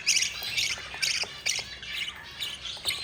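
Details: Budgerigar chicks, four of them, being fed by their yellow mother: harsh, raspy squawks in uneven bursts, about two per second, with short gaps between them.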